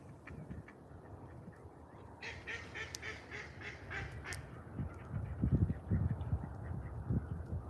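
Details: Ducks in a creek, some flying, near cows roaming a pasture: a burst of harsh, nasal quacks repeated rapidly through the middle of the recording, followed by low rumbling wind and handling noise.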